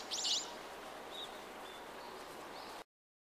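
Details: Common kingfisher living on a river through a residential area, a tributary of the Tama River in Tokyo, recorded 20 December 2010: one sharp, shrill, high burst near the start over steady flowing-water hiss, then faint thin whistles.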